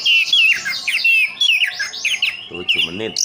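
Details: Orange-headed thrush kept as a songbird in Sidoarjo, East Java, singing dense looping whistles and warbled slurs, with a lower harsh, nasal sound near the end.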